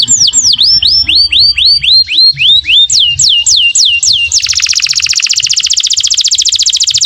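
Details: Canary in full song with elaborate phrasing, played to tutor and prompt young canaries learning to sing; clear descending whistled swoops repeat about four per second, then switch into a dense, fast buzzy roll.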